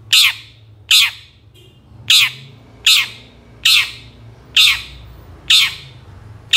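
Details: Long-tailed shrike recording used to provoke lazy shrikes into answering: a series of loud, grating, scratchy shrieks repeated about every 0.8 seconds, eight in all, over a faint low background rumble.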